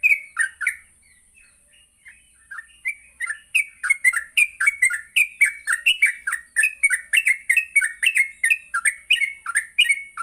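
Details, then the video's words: Yellow-vented bulbul starting softly with scattered chirps, then building into a fast, continuous bubbling warble of rising and falling notes, recorded as a morning lure to train bulbuls to sing and ngropel; high whine throughout. "Pancingan Pagi burung trucuk Gacor sangat cocok untuk melatih trucuk belajar bunyi dan ngropel"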